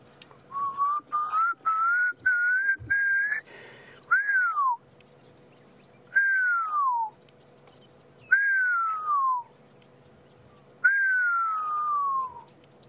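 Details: A Pearl-spotted Owlet calling at sunrise on 3 March 2016 in Sabi Sand, South Africa: short whistles climbing in pitch, then long downward-sliding whistles about two seconds apart, over a faint low hum.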